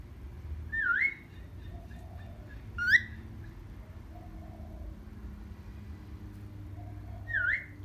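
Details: A happy pet cockatiel in the morning gives three loud whistled calls, each dipping briefly then sweeping sharply upward, spaced widely with quiet stretches between.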